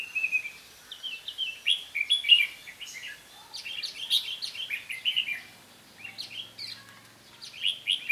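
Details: Decoy red-whiskered bulbul singing during bird trapping, giving lively bursts of chirpy, whistled notes that jump up and down in short, clustered phrases separated by brief pauses.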